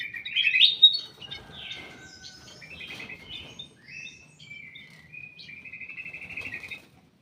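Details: Ruby-throated bulbul in a private aviary opens with a loud, warbled burst, then gives quieter scattered chirps and a long, buzzy trilled whistle.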